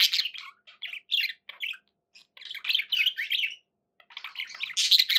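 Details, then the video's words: Several budgies calling as pets: rapid chirps, squeaks and harsh warbled notes in short bursts separated by silent gaps of under a second, ending in a louder raspy flurry. "11 hours of budgie sounds"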